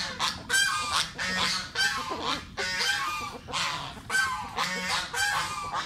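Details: Geese kept as pets honk repeatedly while eating mango: about nine rough, nasal blasts in quick succession, each cut off sharply.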